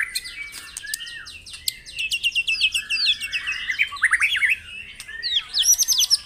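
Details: White-rumped shama song from a morning dew-exposure session used to spur caged birds to sing: dense rapid chattering notes, a smooth whistled slide, then rolling downslurred whistle clusters and a high jumbled flourish.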